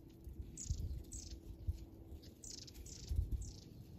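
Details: Wild birds hidden in a bushy thicket give thin, high, downward-slurred chirps in a quick run of about five notes, with low rustling thumps beneath.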